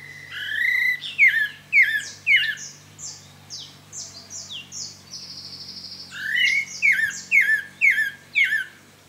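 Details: Pale-breasted thrush, also called sabiá-barranco, singing freely during its breeding-season song period: rapid series of short slurred and buzzy notes, roughly two per second, sweeping down from high pitch, with a brief pause mid-phrase and faint low hum behind.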